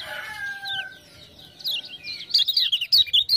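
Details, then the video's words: Lemon-bellied white-eye set off by ciak-ciak sounds: soft lower whistled tones first, then a rising, loud flurry of sharp high chirps in quick succession. "Kecial Kuning joss gacor"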